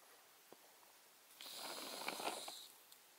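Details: A roadside Iberian magpie fledgling in Valles del Cerrato, Spain, on 5 August 2023, flapping but unable to fly, gives one harsh, wheezy rasp just over a second long, with faint clicks around it and a flock heard nearby.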